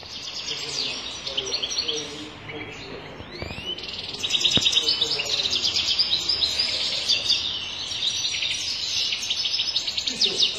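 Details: European goldfinch of the sharmar type, praised for powerful, faultless singing: a dense, fast run of high twittering and buzzy notes, rising in loudness midway and continuing without pause, with occasional sharp clicks.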